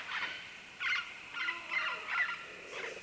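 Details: Several green-winged macaws descending vines at medium-close to medium distance give short, clipped, scratchy notes in a quick irregular series of about five over three seconds, quieter than a full squawk.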